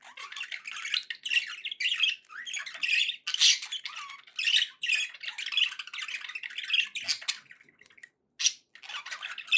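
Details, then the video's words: Budgerigars chattering in a continuous, scratchy warble of rapid chirps and squawks, with brief pauses and sharper clicks mixed in. "budgie sounds"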